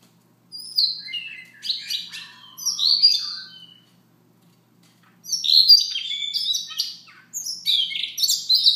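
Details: Soft morning song of a Siberian rubythroat, given in bursts of scratchy, chattering and whistled notes separated by pauses of a second or more, with varied pitch jumps within each burst.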